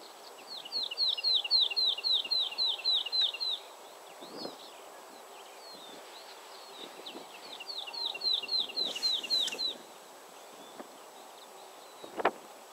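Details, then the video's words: Woodlark delivering two separate song phrases, each a fast, regular string of bright, slurred whistled notes lasting about three seconds, separated by a pause with faint distant chirps; a sharp click near the end. "Woodlark / Lerka"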